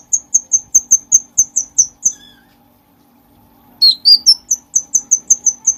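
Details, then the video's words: Energetic bulbul used as tutor audio for songbirds: a brisk run of high, sharply falling chips, a faint lower whistle and near-silent pause, then slurred notes leading back into rapid high chips. "cucak cugkong gacor buat masteran segala jenis burung"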